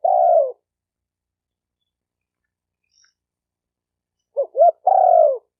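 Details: Spotted dove: a long, burry, falling coo, then nearly four seconds of silence. A fresh phrase of two quick, looping hoots and another extended, descending coo follows.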